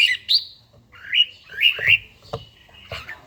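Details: Red-whiskered bulbul during morning singing practice. A few short, slurred, squawky notes rise sharply upward, mixed with soft knocking sounds.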